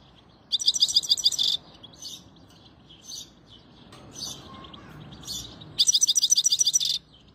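A European goldfinch gives two second-long bursts of bright, rapid tinkling twitter, high and metallic, with a few softer chirps between them.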